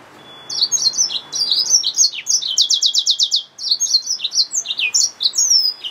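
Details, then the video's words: Yellow-fronted canary mule, a hybrid finch, sings a lively high song mixing chirps and slurred notes with a burst of rapidly repeated sweeping notes midway and a faint steady tone underneath. "Yellowfronted canary mule | Hybrid Finch | Nature Bird sounds"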